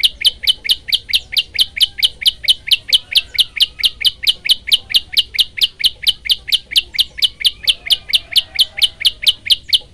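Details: Prinia, prenjak lumut, used as a training recording, singing a long unbroken series of sharp high chirps, about two per second, steady and evenly spaced for the whole stretch, with no other sounds.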